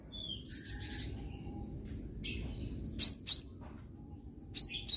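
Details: High-pitched sunbird notes meant to get a young bird singing: faint scratchy twitters at first, then a few loud, sharp upswept chirps in quick pairs near the end, against low steady background hum.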